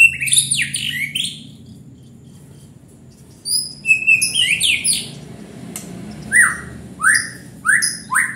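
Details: Varied song of a white-rumped shama: high sweeping notes open the passage, a short quiet gap follows, then repeated loud downslurred whistles spaced under a second apart.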